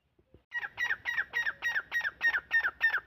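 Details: A francolin (teetar) gives a steady, rhythmic run of loud, harsh, ringing notes, roughly three or four per second, after a couple of faint ticks.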